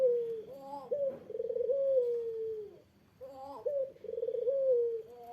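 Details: Eurasian collared dove calling to provoke a rival's reply: two deep cooing phrases, each a short clipped note followed by a long vibrating note that slowly slides downward, with a brief silence between them.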